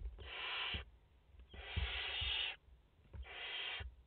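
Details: Barn owl family of mother and four chicks at their nest in France, 30 August 2021; three breathy rasping hisses, the middle one longest at about a second, plus soft thumps.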